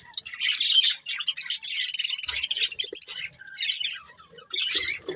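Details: Breeding pair of budgerigars, kept as pets, chattering in a dense, high warble of quick chirps, squeaks and buzzy notes in bursts with brief pauses, plus a few short sharper squawks near the end.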